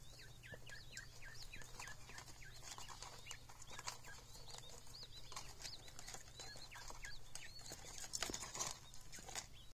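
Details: Button quail chicks giving many thin, high peeping calls in rapid overlapping series, with scattered clicks and a low steady hum underneath.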